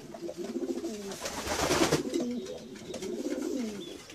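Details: Domestic pigeons making soft, low coos, several birds overlapping, with a swell of rustling noise in the middle.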